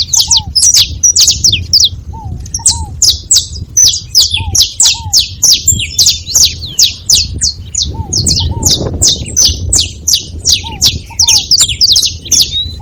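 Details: Several saffron finches together keep up a busy stream of high, sharp chirps in quick runs, with soft paired low whistles now and then.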